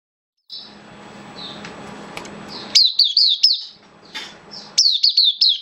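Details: Caged oriental white-eye kept as a hobby bird, recorded 11 September 2022 with its form said to have dipped a little: after a few seconds of low indoor hum, bursts of high, sharply down-slurred notes repeat quickly in short runs.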